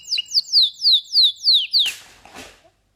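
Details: Canary sings a fast series of seven clear descending whistled notes, each sliding down in pitch, about four per second, followed by a noisy rustling burst and brief faint sounds.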